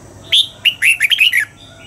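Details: Red-whiskered bulbul practising its dawn song, with one quick run of six clear whistled notes that step downward, opening with a higher note, then silence apart from a low hum.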